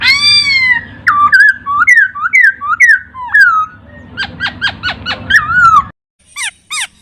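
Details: Laughingthrush song from a master recording for training songbirds. A long falling whistle leads into bouncing upturned whistles, then a burst of rapid downslurred notes, a slurred whistle and a few faint chips.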